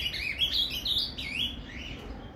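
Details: Captive ultramarine grosbeak (azulão) singing the Paraná 'canto fibra' song style, played to warm up another caged bird: a run of sweet, slurred, warbled notes rising and falling, softening near the end over a low background hum.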